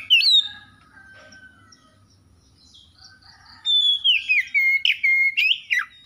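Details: Magpie-robin singing: a sharp whistled note, a stretch of soft distant chirping over low hum, then a loud sequence of down-slurred whistles repeated several times a second.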